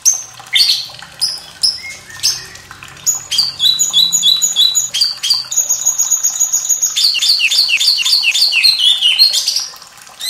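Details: White-rumped shama song with trickling water, used as a master recording to stimulate and train young or quiet birds to sing; varied sharp high notes, rapid repeated chattering phrases, continuous water gurgle beneath.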